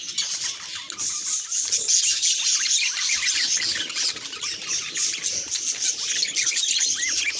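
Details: Budgerigars reacting to a mirror: dense, continuous high-pitched chirping and scratchy warbling with overlapping squawky notes, no pauses across the whole stretch.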